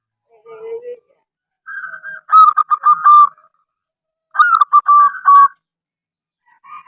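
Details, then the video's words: Local zebra dove whose song is used to lure other zebra doves to call. A low opening coo, then two rolling, broken coo phrases that end on held notes, with a faint coo at the very end. "perkutut lokal gacor suara aneh"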